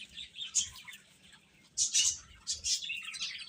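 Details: Chicks peeping in sparser bursts: a few loud, sharp high chirps with quieter gaps between them, then a livelier cluster of overlapping peeps toward the end.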